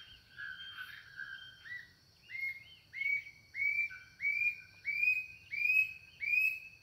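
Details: Brassy-breasted tanager song, with a bellbird said to complete the song: a rapid series of short rising whistled notes repeated about every half second, climbing slightly, over a faint background hum.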